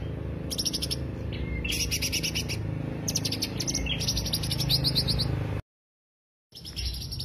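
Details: High, rapid trilled bursts of greater green leafbird lure song, several phrases with thin whistled slurs, cut by a second of silence before singing resumes, over steady low hum.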